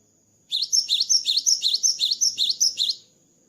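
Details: Post-moult song of a cinereous tit in full voice: around ten rapid, evenly spaced high whistled couplets, each swooping up then down, delivered over two and a half seconds above a steady thin background whine.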